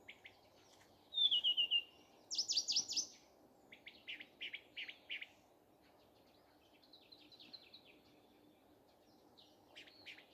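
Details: Morning song of a common nightingale: a quick descending whistle, then loud fast rattling series of clipped notes, softer repeated chirps and a high thin phrase, with faint background hum.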